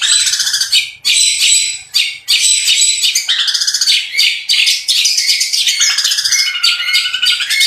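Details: Long-tailed shrike's energetic song of mimicked fill-ins, rough phrases and rapid rolls; chattering, high buzzy bursts nearly three per second, closing with lower whistled slurs.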